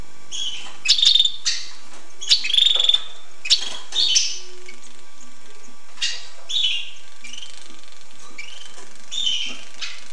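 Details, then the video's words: Hooded siskin singing: bright twittering phrases with buzzy trills and sharp clicks, delivered in bursts about a second apart, then softer, sparser notes toward the end; quiet background. "tarin poitrine noir"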